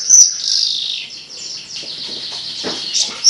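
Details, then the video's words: Javan bush lark delivering melodious song: a sharp high note, then continuous buzzy, scratchy warbling with soft ticking sounds underneath, ending on another bright high whistle. "Burung branjangan edun suara merdu"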